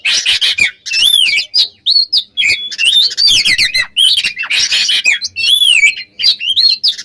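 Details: Oriental magpie-robin pouring out continuous, varied song to agitate rivals: harsh chattering bursts mixed with looping, sliding whistles, hardly pausing throughout.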